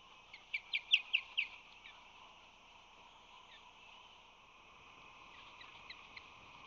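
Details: San Francisco Bay osprey nest, late March 2020, male arriving with fish in talon while rushing to guard the nest: a quick string of six sharp, high, falling chirps, then faint scattered pips over a low background hum.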